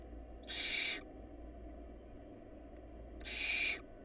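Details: Two loud, noisy hissing screeches, nearly three seconds apart, from hungry barn owl nestlings in a family lacking food, with a steady low hum behind.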